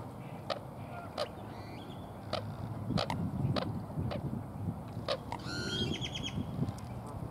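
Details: A juvenile Black-crowned Night-Heron at Sunset Park, Las Vegas, on 26 January 2021 gives sharp, harsh clicks at irregular intervals, then a brief nasal, honking phrase, over a steady low rumble.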